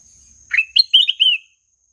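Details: Ruby-throated bulbul singing a short melodious phrase: a quick rising note, then a run of warbled, slurred whistles stepping down and ending in a drawn-out trill, heard clearly against a quiet background.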